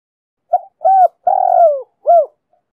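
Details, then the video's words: Female spotted dove cooing to excite males, in the Chiêu, Thúc and Gù styles; a single four-note phrase: brief coo, arched coo, long drawn-out downslurred coo, then a final arched note. The background is quiet. "Tiếng cu mái gáy kích trống cực sung đủ bài bản CHIÊU - THÚC - GÙ"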